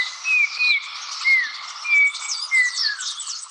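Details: A Yellow-backed Oriole in the Andes of Colombia sings pure, clear whistled notes in short slurred phrases, about five in a few seconds, over a steady high hiss of insects.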